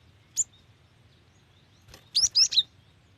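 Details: Very quick chirps from a female cinereous tit calling to the male. One lone high note, then after a pause a tight run of three thin, rising-falling tweets.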